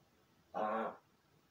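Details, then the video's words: Pet crow in its room, practising calls after playing alone, camera placed outside the room: one short, rough, nasal caw lasting under half a second over a faint hiss. "一人遊びの後 鳴き声と喋る練習"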